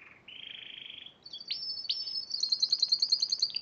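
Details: Spanish Timbrado canary, champion at the Piala Raja contest in March 2014, singing. A steady high whistle is followed by a long flat note, then sharp rising sweeps and rapid bright trills that grow louder toward the end.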